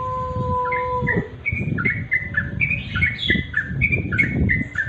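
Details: Sooty-headed bulbuls at dusk, natural sound: many short chirping notes, some sliding downward, tumbling in a rapid irregular chorus at overlapping pitches. A steady low whistle-like tone runs through the first second, with low background rumble.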